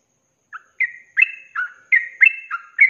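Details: Sooty-headed bulbul (trucuk) singing in ropelan style, a training recording for cage birds: a series of short bubbly whistled phrases, each a quick slur between two pitches, roughly every third of a second after a brief opening note.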